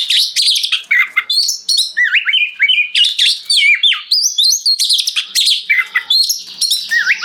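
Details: An oriental magpie-robin pours out a long 'gacor ngeplong' song to set other magpie-robins singing and to serve as a tutor for pet birds: bright rising whistles, sharp chips and warbled slurs in a fast, unbroken stream.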